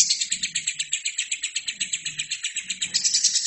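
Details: Continuous lovebird song from a recording used to train other birds. Quick, evenly spaced, high twittering notes run steadily with a slightly buzzy tone. A dim low hum is audible underneath.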